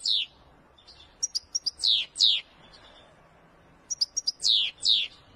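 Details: European goldfinch, Wedani-style song: high clipped notes and sharply falling slurred whistles in two clusters separated by a short pause, clear and close against a quiet background.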